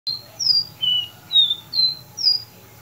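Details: Capped seedeater giving its common song, recorded on Thursday, 9 May 2019: five clear, high whistled notes spaced about half a second apart, alternating between higher and slightly lower pitched slurred tones over a faint low background hum.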